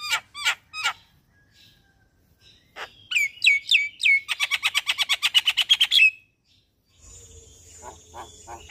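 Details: Morning song of a Javan myna, recorded as a master for training caged birds: a few sharp chirps, then a fast run of about fifteen rapid repeated metallic notes, ending in a faint rasp with a steady background hiss.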